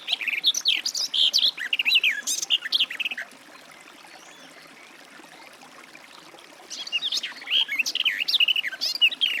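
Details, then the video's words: Two bursts of garden warbler song, each a fast rambling warble of varied notes, separated by a few seconds of quiet background. "Warbler garden, birdsong"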